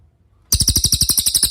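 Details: Cililin song used as master audio: after a quiet start, a sudden bright, high, rattling trill of quick evenly spaced notes begins and continues to the end.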